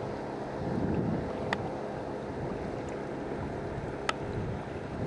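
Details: Paddling on open water with steady wind rumble and lapping water, plus two sharp knocks of a paddle against the kayak.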